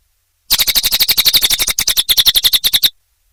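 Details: Cililin bird singing energetically in a long-running recording: one quick burst of about twenty-five high, clipped chip notes in rapid series, lasting roughly two and a half seconds before silence.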